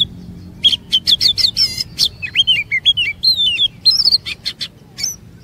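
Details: Oriental magpie-robin lure song to coax long 'ngerol' phrases and hidden 'isian' from other kacer: clustered sharp clicks and chips interwoven with short looping whistles in a lively, unbroken stream.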